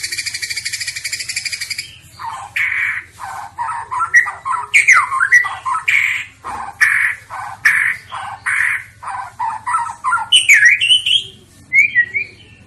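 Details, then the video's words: Bahorok white-rumped shama, a bird that reached the President Cup contest, opens with a harsh buzzing rattle, then strings loud whistled and chattering notes in quick series, ending in twisting high slurs. "Murai bahorok"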